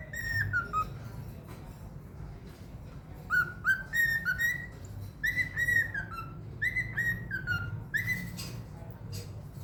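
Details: Pet cockatiel performing a whistled rendition of "Another One Bites the Dust" during training: loud downslurred whistles, then a steady sequence of short notes roughly three per second, over faint room noise.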